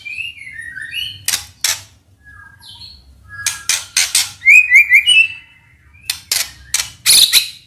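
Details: Murai batu, the white-rumped shama, in a provocation song meant to stir emotion and draw out krayer: scattered high whistled slurs, sharp clicks and a short bright trill, with quiet gaps between phrases.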